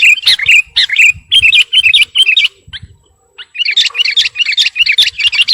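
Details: Sooty-headed bulbul in full song, calling out to a rival. Quick bubbling chirps and warbled phrases come in dense bursts, pause briefly mid-clip, then resume with a rapid chattering run of bright notes.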